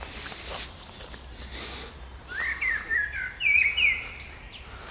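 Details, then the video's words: Spring bird song: after a quiet start, a run of bright whistled and chirped notes rises and falls in quick succession, with a soft outdoor background hiss. "Wiosenny śpiew ptaków"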